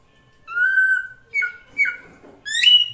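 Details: Female drongo lure call to draw the male: one long level whistle, two short stepped whistled notes, then a bright rising whistle.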